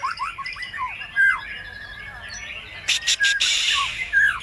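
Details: Lure song of a white-rumped shama, full of borrowed phrases, meant to set other birds singing: a quick string of falling whistles and a loud slurred note, then harsh buzzy bursts among further whistles.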